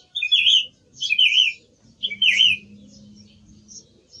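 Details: Song thrush repeating the same rich, slurred whistled phrase three times in a row, about once a second, followed by faint high notes and a steady low hum.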